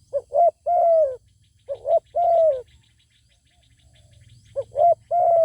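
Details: Zebra dove singing in answer to a wild bird with a fine voice that will not come down to fight; three cooing phrases, each two quick rolling notes then a long, level, slightly falling coo, about every two seconds, with a low hum beneath.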